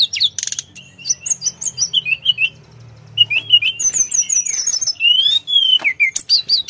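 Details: Sunda forktail (tledekan gunung) in full, lively song: a fast, varied run of thin whistles, sharp chirps and short slurred notes, some falling and some rising, packed closely together, with a faint low hum early on.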